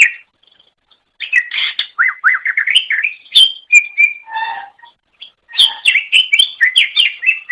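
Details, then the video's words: Greater green leafbird singing vigorously on a tutor recording for training pet songbirds: a brief silence, then rapid chattering phrases of bright, slurred whistles and sweeping notes with short pauses, rich and varied throughout. "MASTERAN GACOR - Suara Burung Cucak Ijo"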